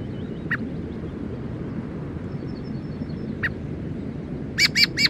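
Black-throated thrush giving short, hard chack notes, two spaced singly, then a quick burst of three; a faint thin twitter from another bird over low rumble.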